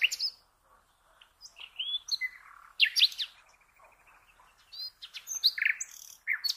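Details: Common nightingale singing, played to train cage birds: varied whistled phrases, a thin rapid trill, and bright repeated chirps separated by brief pauses.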